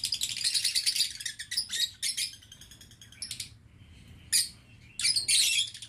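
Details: Lovebirds kept in an aviary cage give dense bursts of shrill, high chirping, some stretches rapid and buzzy, others short clipped notes separated by brief pauses.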